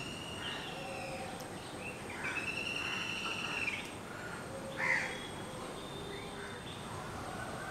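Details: Asian pied starling, known locally as go shalik, giving a short warbling, slightly buzzy phrase a little past two seconds in, then a brief sharp note near five seconds, set against steady background hiss and faint other chirps.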